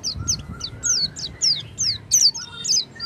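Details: Oriental white-eye singing to prompt a silent white-eye: fast, high, downslurred twitters in an uneven sequence, with some buzzy notes and low background noise.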